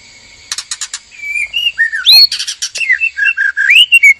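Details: White-rumped shamas, a male and a female in a captive breeding cage, being stimulated to mate: rich, varied whistles, slurred rising and falling notes mixed with quick buzzy chips, loud and continuous for several seconds.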